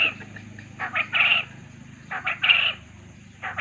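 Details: Quail call used as a lure so other quail answer: grouped bursts of two short notes followed by a longer, ringing note, repeated about every one and a half seconds over a low steady hum.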